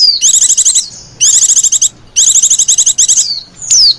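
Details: Female white-eye calling in the 'lenjeh manja' style, used to attract white-eyes: three dense bursts of fast, high, twittering trills, then a sharp descending whistle at the end, with faint low hum beneath.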